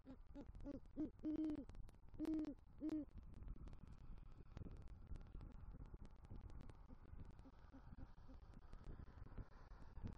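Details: Great horned owl pair at a Southwest Florida nest tree, November 2023; the male, bringing a rodent, hoots for the female: a quick series of short hoots and three long deep ones, then faint hoots and hiss.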